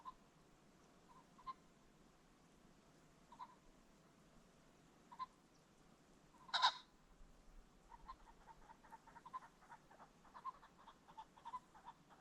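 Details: Ring-necked pheasant calling along a creek bottom at sunset: soft, evenly spaced clucking notes, one loud harsh burst midway, then a quick run of short clucks near the end.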